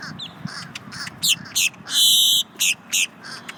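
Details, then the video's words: A grackle heard up close, giving harsh, rasping notes and sharp squeaky bursts, including one longer wheezy screech, irregularly about three per second, over a faint low background rumble. "GRACKLE ~ UP CLOSE"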